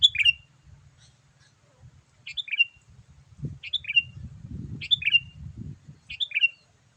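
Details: Lure call of a sooty-headed bulbul meant to attract wild birds: five short, liquid whistled phrases with a falling twist, repeated about every second or two, over soft low rumbling and knocks.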